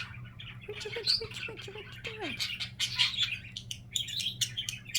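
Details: Domestic budgerigar chattering in a quick scratchy warble of high squeaks and clicks, with a few lower short tones and a downward slurred note, against a faint constant hum.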